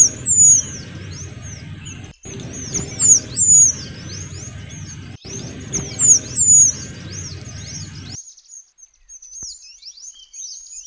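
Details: Small minivets, males and females together, singing actively: thin, very high whistled notes that slur down and up, in quick bursts. The song is used as a model for training oriental magpie-robins. It ends in near silence after eight seconds.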